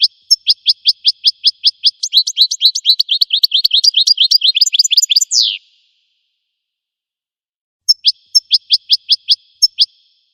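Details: Wild American goldfinch singing: a fast run of high, evenly spaced chirps, then a dense twittering stretch of slurred notes ending in a buzzy downward slur, a pause, then another string of sharp chirps. No other sounds.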